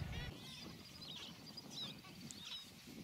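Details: Gentoo penguins recorded on Carcass Island in the Falklands on 21 January 2019. A brief harmonic honk opens, then fainter squeaky chirps and distant braying notes follow over a low, steady rumble.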